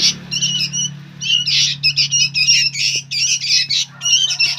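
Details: Young sooty-headed bulbuls, very noisy, giving harsh, buzzy squawking calls in rapid bursts of two to four notes, with a steady low hum in the background.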